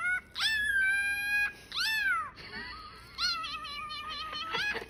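A cockatiel gives clear, rich calls that rise and fall, some drawn out and meow-like.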